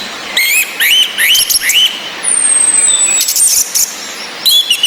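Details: Orange-headed thrush, female whistling with rain to get mute males singing: several rising upslurred whistles in quick succession, a long descending very high whistle, then renewed bursts of sharp chirps over steady hiss.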